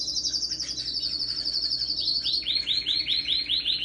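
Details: Powerful canary song, December 17, 2021: a dense high rolling trill for two seconds, then a rapid series of looping down-slurred notes, roughly eight each second.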